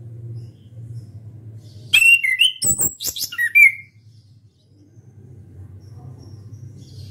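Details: Loud song of an orange-headed thrush, beak open, delivered as a rapid run of about two seconds of high whistled notes, slurred and buzzy, some rising, with short clicks between, over a faint low hum.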